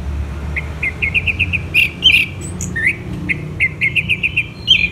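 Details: Orange-headed thrush, tagged to Kubutambahan, Singaraja, Bali, singing in the morning: quick runs of short, bright chirped notes with scratchy bursts and sliding whistles between them, over a low background rumble.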